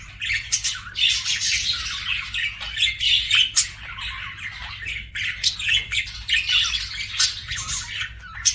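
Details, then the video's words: Continuous chirpy budgie chatter: rasping, fizzing notes interspersed with clicks and short whistles, rising and falling in loudness in waves throughout. "BUDGIE CHIRPING SOUNDS"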